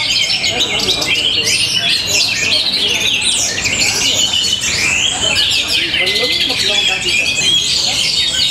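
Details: In Tabanan, Bali, an Orange-headed thrush delivers its rhythmic, forceful song, a nonstop jumble of quick high chirps, buzzy trills and short whistled slides, with a brief clear level whistle near the end.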